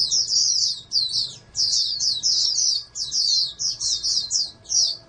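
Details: Bright, shrill twittering song from a caged oriental white-eye raised as a potential national champion, phrases of quick slurred notes running about half a second each with brief gaps.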